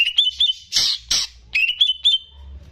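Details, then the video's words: Caged greater green leafbird singing energetically, used to prompt untrained birds to sing: quick chirping whistles in short phrases, interrupted by two harsh, noisy bursts. "CUCAK IJO GACOR || PAS BUAT PANCINGAN BURUNG BAHAN"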